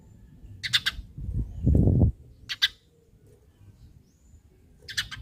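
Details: Eurasian tree sparrow giving lure calls meant to set other sparrows calling; three crisp, separated chirps, one doubled, with a dull thud and low rumble between them.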